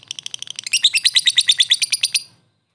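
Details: Ngekek from a fighter lovebird, a lure to provoke a response: a rapid, shrill, chattering trill that starts soft and stuttering, swells into loud piercing pulses, and stops after about two seconds.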